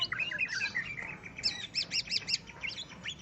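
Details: Greater green leafbird singing while facing a rival: quick varied whistles and slurred notes, then a run of five rapid, evenly spaced looping notes, followed by a few more scattered chirps.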